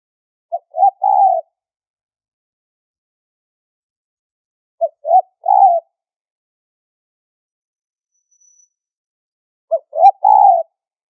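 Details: Spotted dove giving a high-pitched call used as a lure for trapping: three spaced phrases of soft, hoarse coos, each two short notes followed by a longer rolling one, about five seconds apart, with silence between.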